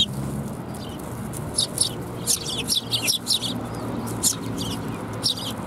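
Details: Sparrows gathering to be fed at a Tenmangu shrine, 7 January 2021, give a loose run of bright, high chirps in small clusters, some doubled, over a constant low background hum.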